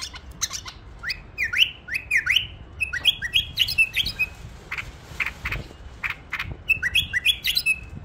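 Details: Tame bulbul singing runs of bright, rising whistled notes in quick succession. Scattered clicks and taps fill the pauses between phrases.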